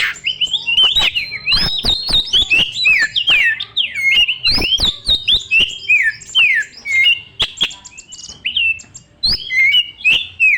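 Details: Song of a white-rumped shama played to provoke young forest birds: loud, varied slurred whistles and squawky notes, swooping up and down, punctuated by hard clicks, with almost no pause.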